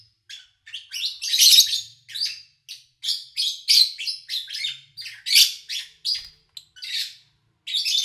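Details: Lovebirds kept as pets, recorded in August 2019 while things were quiet: rapid, irregular shrill chirps and squeaky notes, bunched into loud flurries with brief gaps, clean background.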